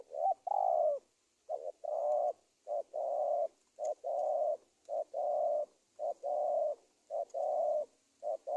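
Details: Spotted dove lure sound for catching wild doves: a rapid, almost continuous run of low cooing phrases, short hoots followed by longer coos, about one phrase per second, with a faint high hiss behind.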